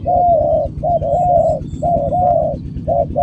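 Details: Spotted dove cooing: low, hollow rounded coos roughly once a second in an uneven series, some notes with a slight gliding whistle, and faint high tinkling tones in the background.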